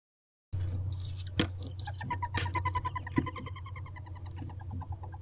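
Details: Owl in a nest box on the afternoon of 6 April 2023, with a second owlet newly hatched that morning and an older owlet growing. Rapid series of short pulsed notes, roughly ten per second, with a few loud knocks and low background rumble.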